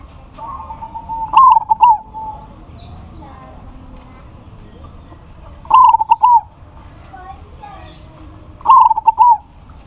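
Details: Local zebra dove in lively form, calling to a rival that answers: three separate stuttering, trilled coo phrases, each a quick burst of bubbling notes ending in a drawn-out tone, spaced about four seconds apart, with faint background noise.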